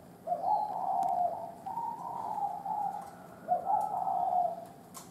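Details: Old wild spotted dove giving thổ đồng style cooing: soft, low, hollow coos run together into a long phrase, then a second shorter phrase, against faint background hiss.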